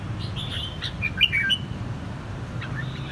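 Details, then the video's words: Red-whiskered bulbul, an escaped bird standing up strongly to a caged bulbul, gives quick bright chirped phrases in the first second and a half, then fainter notes near the end, over a steady low rumble. "chào mào xổng Đế Vương nay chịu cự mạnh chào mào nhà ..."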